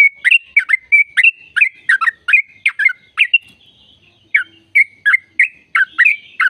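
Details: Energetic chattering song of a yellow-vented bulbul, meant to prompt caged birds into song: quick bubbly notes and short whistles in a steady burst, a pause of about a second, then the chatter resumes.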